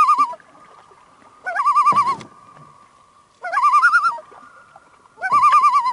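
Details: Common Loon on a remote lake in Canada, 150 km through forest from the nearest town, heard from a boat on a fishing trip: three wavering, quavering laughing bursts about two seconds apart over a faint steady hum, with a low knock.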